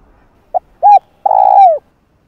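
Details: Spotted dove calling to lure wild doves. A short pip, a firm rounded coo, then a long rough rolling coo that slides lower at the end, without a closing note; silence otherwise.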